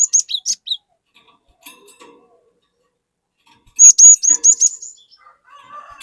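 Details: Cinereous tit in full song, used as a lure to get other birds singing: thin, high whistled notes, a brief burst at the start, then a rapid run of about five sharp repeated notes after a quiet pause, with faint lower chirps.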